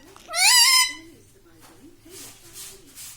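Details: Pet parrot, green, tagged as a ringneck, whose talking includes the words mummy and papa: one loud, rising, rich-toned utterance near the start, then faint soft sounds afterward.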